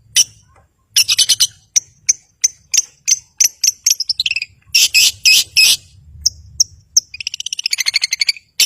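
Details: Long-tailed shrike (cendet) in full song, used to provoke silent birds into singing: rapid series of sharp, high chips and harsh buzzy bursts, some clustered in quick doublets, ending with a fast rattling trill, low background hum throughout.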